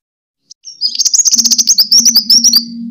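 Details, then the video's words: Sunbird kolibri tarung fighting song, pancingan for luring and training birds. A fast, bright run of high twittering notes pulsing several times a second, with a steady low hum underneath. "Suara: -*BuRunG*- [Pancingan] ( KOLIBRI TARUNG ) BUAT MASTER"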